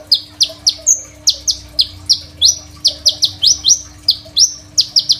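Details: Crimson sunbird in full, lively song with rich varied phrasing, kept as a tutor for young sunbirds, recorded on a phone: rapid series of sharp, high, rising upswept notes, about three per second, with a few thin higher slurred whistles and a faint steady hum.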